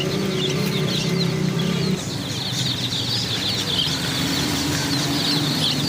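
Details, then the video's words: Chicken chicks chirping in a thick, high-pitched chorus, while a low droning tone plays for the first two seconds and then fades. "chicks chirping sounds"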